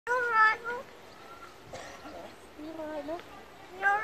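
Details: Magpie in Yorkshire mimicking human speech, repeatedly saying 'you alright love' and 'I'm alright' in a Yorkshire accent; short voice-like phrases with clear harmonic tones rising and falling, separated by quiet gaps.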